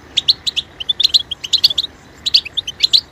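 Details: Goldfinch singing bright, bell-like twitters and quick chirp pairs in rapid clusters, a brief pause midway before the chattering resumes.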